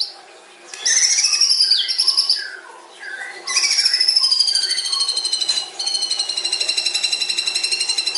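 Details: Long filler-packed song of a white-rumped shama, said to lure other birds fast: sweeping whistles give way to extended, rapidly pulsed high trills held for several seconds, over a faint steady hum.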